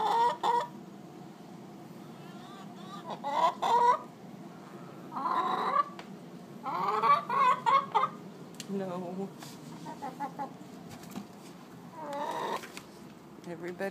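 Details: Hens singing the egg-laying song, one waiting to lay while the nest is taken and others joining: irregular bursts of loud clucks and drawn-out squawking cackles, with quieter gaps and faint human voice.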